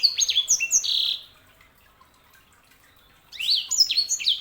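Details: Canary hybrid known as sanger delivering two quick phrases of bright chirps and descending whistled slurs, separated by a two-second silence.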